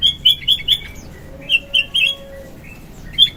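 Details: {'text': 'Lively morning sooty-headed bulbul song from a lure and training recording. Clear, sharp whistled notes come in small groups of two to three, with brief pauses and a faint steady low tone between.'}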